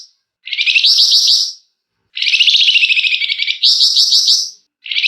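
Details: Flamboyan singing densely and without break, with emotional scratchy notes, used as a lure for other birds to sing. Repeated buzzy, rapidly pulsed phrases, one long phrase stretching over a second and a half and shifting in pitch midway.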